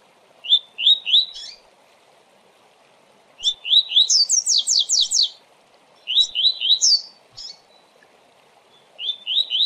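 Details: Fast Tui Tui song from a coleiro, meant for training: short rising whistles in twos and threes, then a long, high rattling trill, followed by more whistled runs over faint background hiss.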